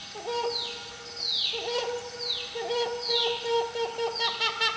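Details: Helmeted hornbill in a Malaysian rainforest giving steady, mid-pitched hooting notes in loose series, with high descending whistles from other birds or insects repeating over them.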